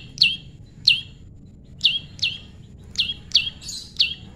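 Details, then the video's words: Prinia (prenjak lumut), described as a tame, naturally paired bird, giving sharp, high chirps that drop steeply in pitch, about eight in four seconds at an uneven pace, over a faint low rumble. "prenjak lumut jodohan alam"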